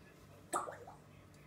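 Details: A pet grey parrot talking to itself indoors utters one short, speech-like syllable that drops in pitch over a few tenths of a second; the room is otherwise quiet.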